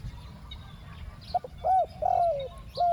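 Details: Spotted dove decoy for catching wild doves, giving the 'ku-ang' two-note coo: quick soft notes, a rounded rising coo, a long falling coo, then a further phrase begins, over low background rumble.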